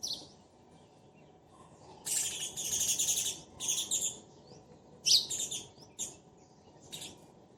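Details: Sparrows in a pair calling to each other: long bouts of rapid, harsh chattering chirps, separated by brief quiet spells, ending with isolated single chirps.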